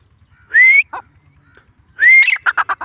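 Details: Grey francolin calling: a clear rising whistle with a short harsh tail, a pause, then another rising whistle leading into a quick series of chattering notes.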